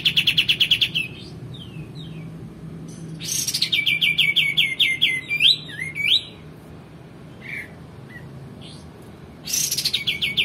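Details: Male white-eared bulbul, a master recording for training songbirds: fast trills and slurred falling notes, a harsh burst leading into a string of rapid chirps, scattered quiet calls, and a closing rapid trill.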